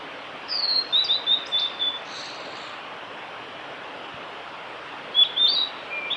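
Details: Male blue-and-white flycatcher, Lake Miyagase, Kanazawa forest road, Japan, 5 May 2018: a phrase of six clear descending whistles, a long quiet stretch with steady hiss, then a short burst of high notes starting another phrase.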